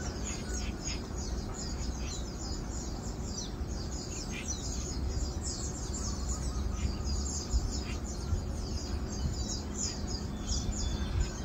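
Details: Asian glossy starling chorus from 4 August 2022: rapid bright chirps and squeaks repeat densely across the whole stretch, with occasional short downward slurred notes, over heavy low-pitched ambient rumble.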